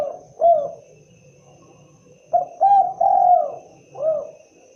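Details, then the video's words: Spotted dove giving short, low, mellow cooing phrases, with a single coo followed by a pause and then a quick group of three hooting coos. Faint background hum. "suara asli khas burung derkuku(Tekukur)"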